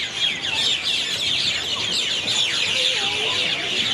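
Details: Loud nighttime chorus of birds in one town tree at Airlie Beach, 2024: countless high, sharp chirps overlap continuously, and a few lower, softer whistled notes stand out briefly beneath the shrill mass.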